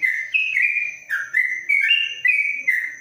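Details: Yellow-vented bulbul kept in a covered cage pouring out its long 'ropelan' song, a chain of bright whistled notes jumping between higher and lower pitches with brief slurs and no pauses.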